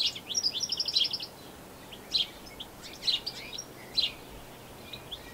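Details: European goldfinch in New Zealand, captured with a Canon SX60HS; an opening run of quick, sweet twitters, then separate bright chirps about once a second, fading at the end.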